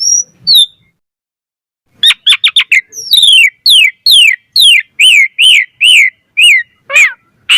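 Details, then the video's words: A varied starling lure song from an Asian pied starling: a short whistle, silence, then fast clipped notes leading into a steady series of loud downslurred whistles, about two each second, ending in a harsh burst. "Suara Jalak Suren Gacor Variasi Full Isian Ampuh Cepat Respon Buat Pancingan Burung Jalak"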